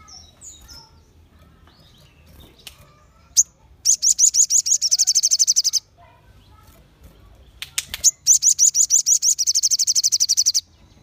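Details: Crimson sunbirds singing together to provoke rivals into song: two long, dense, very high trills, each about two seconds of rapid buzzy repeated notes, separated by quiet ticks and faint chirps.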